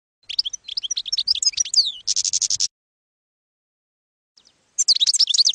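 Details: European goldfinch campero song for schooling young goldfinches: quick varied twitters, then a harsh buzzy rattle, a two-second pause, and a fresh burst of tinkling notes.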